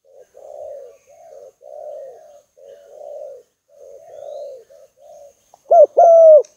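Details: Spotted dove luring call: a steady string of soft, rolling burry coos, ending in one loud double coo, a quick clipped note and a longer descending note.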